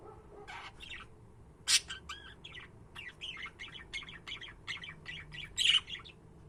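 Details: Budgerigars chattering in a run of quick, high, scratchy chirps and warbled notes, with a couple of louder sharp squeaks standing out, over a low background hum.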